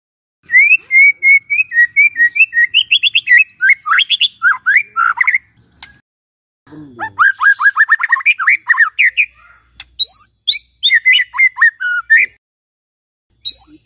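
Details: White-rumped shama singing in the morning, played to coax a silent bird into song: long runs of varied, fast whistled and chattering notes, rising and falling, broken by short pauses, clean background.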